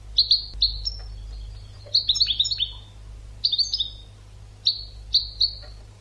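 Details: European goldfinch song used to train other birds: bright twittering bursts of short clipped notes near the top of the range, with rapid liquid trills around two and five seconds, separated by brief pauses over a faint low hum.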